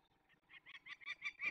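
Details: Peregrine falcon, young birds being released in the Barycz Valley, Poland, on 27 May 2020: a quickening run of grating, nasal notes that builds in loudness over about a second and a half.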